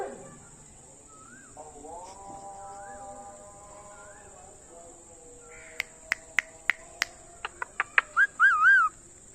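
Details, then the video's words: Pet parrot vocalizing: short upward-curling whistles and a level tone, then a series of sharp clicks and a final wavering, warbled whistle; constant high-pitched whine in the background. "Best talking parrot video"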